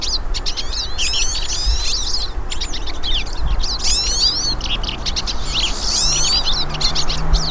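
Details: Several hooded siskins singing in a natural setting, with lively high twitters and short chirp clusters recurring every second or so, some longer warbled runs, and a low drone underneath.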